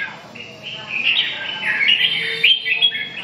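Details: Red-whiskered bulbul singing a continuous warble of fluty, wavering whistles that rise in strength midway and stay lively to the end.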